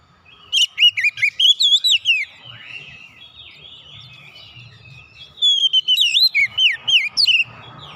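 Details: Oriental magpie-robin song for getting a silent bird back into song: two energetic phrases of loud, varied whistles with looping slurs, about ten notes each, separated by a few seconds of soft chirping.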